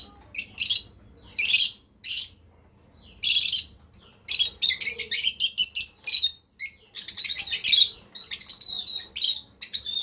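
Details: Lovebird breeding pair: sharp, raspy high chirps, spaced singly at first, then crowding into fast, continuous chatter in the second half, over a quiet background.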